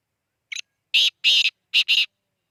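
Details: Black francolin calling from Khushab: one short note, then four loud harsh grating bursts in quick succession, the last two close together, with silence around them.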